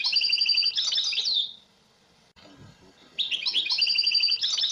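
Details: Bright twittering goldfinch song: a buzzy, tinkling phrase ending in a falling slur, a pause of about a second and a half, then the phrase starts again.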